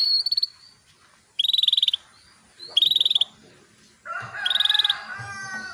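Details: Female canary calling to males to encourage them to sing: repeated short buzzy trilled bursts, each about half a second, with a lower harsh rasping sound joining near the end.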